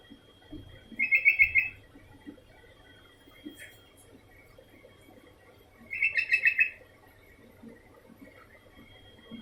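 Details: Sooty-headed bulbul calling continuously, two bursts of rapid, bright repeated notes about five seconds apart, with scattered soft knocks, low background rumble and a faint steady tone.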